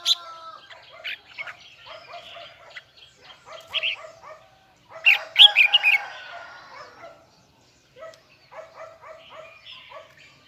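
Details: Huë-type red-whiskered bulbul singing in a high, doubled, twisting voice. Loud, rich whistled bursts stand out amid steady softer chirping from other small birds, with quiet gaps between.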